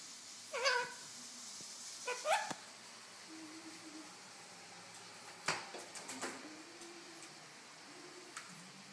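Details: A pet golden conure playing on top of a refrigerator in a happy mood gives two short, rising, nasal squawks a second or so apart, followed by scattered clicks, taps and faint low hums in a quiet room.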